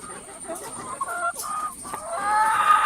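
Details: Many hens kept together in a coop, making various noises: scattered soft clucks and short harmonic calls that build into longer drawn-out squawks toward the end, with a steady high hiss throughout.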